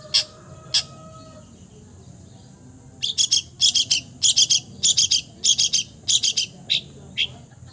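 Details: Long-tailed shrike, a bird said to imitate all kinds of bird sounds. After two isolated notes and a soft whistle comes a pause, then quick clusters of rough, chattering notes repeated nearly twice per second.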